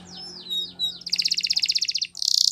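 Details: Canary training song in the Spanish Timbrado manner: a few soft swooping whistles, then a rapid even trill of bright pulses and a harsh buzzy ending.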